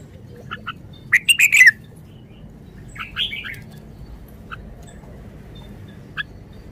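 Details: Caged red-whiskered bulbul in short-song style, softer and farther off: one quick burst of chirpy slurred notes, then a fainter warble and a few isolated chips over a low background hum.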